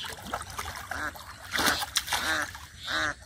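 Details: Ducks give short, nasal quacks, about three in three seconds, beside muddy water where a boy catches catfish by hand, with loud splashing and sloshing.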